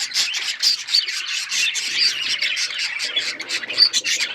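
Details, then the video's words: Budgies kept as pets giving rapid rhythmic chirps and clear short whistled pips among continuous buzzy chatter, several birds overlapping. "Beautiful birds chirping sounds birds singing"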